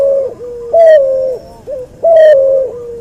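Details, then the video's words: Cuhu dove, hybrid of a white albino puter with a puter pelung, used as training song: two strong steady coos about 1.3 seconds apart, each ending in a softer lower hum. "MASTERAN BURUNG CUHU HASIL SILANGAN PUTER ALBINO PUTIH VS PUTER PELUNG"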